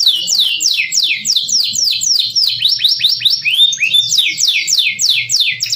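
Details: Canary singing a masteran tutor phrase: a long steady series of steep descending whistled sweeps, about four per second, with a few upward-curving notes midway.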